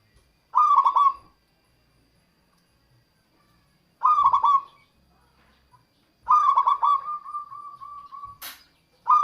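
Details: Local zebra dove singing as a lure for wild birds: three gentle rolling coo phrases, the third trailing into a long series of soft, even notes, with a sharp click near the end.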